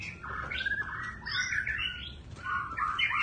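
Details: Continuously varying white-rumped shama song, with slurred rising and falling whistles and quick warbled phrases shifting from one motif to the next over a low rumbling background.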